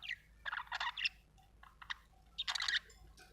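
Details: Budgerigar chirping in short, harsh, buzzy bursts of scratchy notes separated by gaps of silence, a few thin whistled chirps between the louder clusters.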